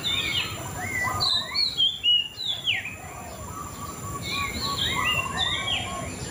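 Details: White-rumped shama singing rich, varied whistled phrases, some rising and some falling slurs, delivered in quick bursts over a steady background hiss.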